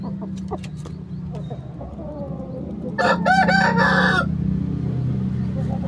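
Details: Rooster crowing in its coop. A loud, harmonic crow arrives after about three seconds and lasts over a second, with steady low humming or music throughout and faint clucks beforehand.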